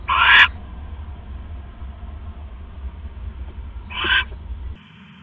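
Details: Nest-box owl in the early morning of October 5, 2015, with a rat just delivered. Two short, raspy hissing screeches come about four seconds apart over a low background hum that cuts out near the end.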